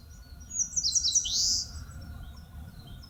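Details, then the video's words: Eastern crowned warbler in woodland below Palbongsan, Seosan, Korea, delivering one phrase: stuttering high chips quickening into a bright, buzzing, falling flourish, then quiet forest ambience. "산솔새가 노래하는 숲! Eastern Crowned Warbler sings!"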